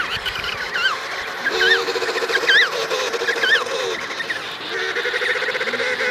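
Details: Emperor penguin adult pair with their chick, Davis Sea: sharp zigzag warbling calls alternate with long, buzzy, evenly pulsed low trumpeting phrases. The two patterns swap back and forth over a murmur of distant colony calling.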